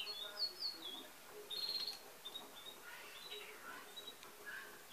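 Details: Chestnut-backed tanager in the wild on the morning of 25 August 2019. High, thin, sharp notes sound as quick slurred chips, two brief bursts within the first two seconds, then fainter scattered notes over a low, steady background hiss.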